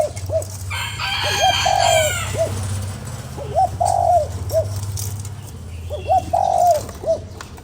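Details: Spotted dove coo phrases used to stimulate a lure bird: clusters of short bent hoots and a drawn coo, repeated three times, with a rooster crowing early on and a low hum throughout.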